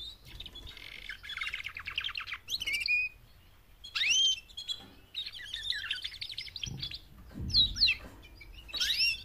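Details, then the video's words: Mating calls from four female canaries used to push males to sing loudly: repeated bursts of fast high buzzy trills alternating with sharp swooping whistled chirps, and a few low dull thumps mid-sequence. "BEST mating call 4 females canary EVER to MOTIVATE your CANARY to sing LOUDLIER"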